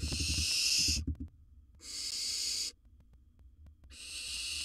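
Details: Wild barn owl in a nest box while swallowing large prey gives three drawn-out rasping hisses, each about a second long, with short silent gaps between them and faint soft knocks early on.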